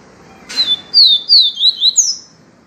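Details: Yellow-bellied seedeater singing the viviti style of song: a short opening note, then a quick run of five bright slurred whistles, each sliding downward, the last starting highest, all within under two seconds against quiet background.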